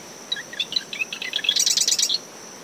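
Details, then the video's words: At dawn after tropical depression Claudette, a marsh wren sings from dune shrubs surrounding its nest at SMNWR, ten meters from the high tide line, in brisk wind; quick introductory chips accelerate into a loud buzzy rattle lasting about half a second, with a steady insect whine. "Marsh Wren Calls from Dune Vegetation"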